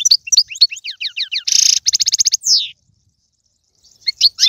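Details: European goldfinch song used to stimulate a pet goldfinch: rapid high chirps and a buzzy rattle, then a slurred downward note, followed by near silence with a few faint chirps.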